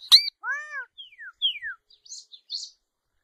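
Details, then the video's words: Solitary cacique song made of a sharp high note, a stacked arched whistle, two descending slurred whistles, then soft, hissy high fragments fading out. "Boyero Negro Canto! Llamado! Sonido! Cantando - Solitary Cacique Song - Cacicus Solitarius"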